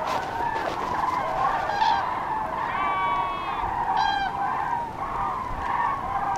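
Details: Many common crane groups on spring migration, scattered by bad weather, pass over central France on the afternoon of 5 March 2016, 14:30–15:40, in a steady chorus of loud, rolling, trumpeting calls, with a few clearer bugled notes above the din.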